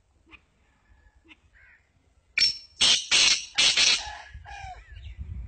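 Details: Sindhi black francolin calling: after faint scattered chirps, a loud burst of four harsh, grating, rasping notes in quick succession, then quieter scratchy notes and some low rumbling.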